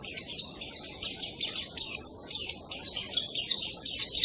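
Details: High, rapid white-eye song likened to a canary: repeated short bursts of quick descending whistled notes, several per second, over a faint low background hum.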